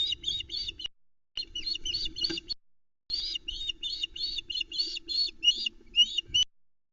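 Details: At Loch Arkaig on a July 2020 night near 22:41, a female osprey on the nest screeches while the male delivers a trout and chicks gather; rapid, strident piping notes in three runs separated by brief silences.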